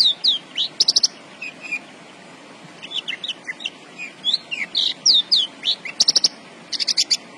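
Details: Javan bush lark singing persistently: dense bursts of high swooping whistles and chirps broken by loud buzzy rattles, with a brief quieter gap early before the song resumes fully.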